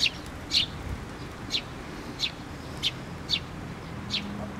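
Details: Sharp single chirps, about one a second, come from sparrows flocking to a post-mounted feeder at a Tenmangu shrine on 24 June 2023; a faint low drone runs underneath.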